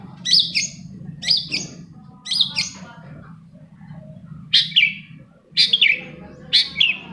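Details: Long-tailed shrike song used as a lure to get silent shrikes singing: loud, harsh, buzzy high bursts in short doubled phrases, roughly one per second with brief pauses, over a low background hum.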